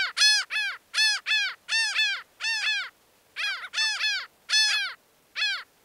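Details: Laughing gull giving a rapid, loud series of nasal, downslurred calls, mostly in doubled or tripled bursts, with a short pause midway; no other sounds.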